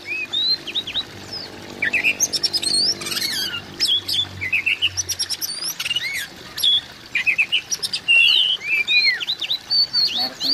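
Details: Oriental magpie-robin sound played to encourage a silent magpie-robin: a long lively stream of short whistles, upslurred and downslurred chirps and clicks, nearly continuous, with faint low hum early on.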